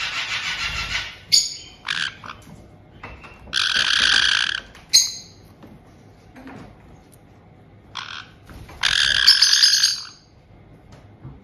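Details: White-bellied caiques, a resident pair kept indoors with a newly arrived chick just over two months old, in Tokachi, Hokkaido, seemingly welcoming the young bird: loud harsh buzzy squawk bursts of about a second, repeated irregularly with pauses between.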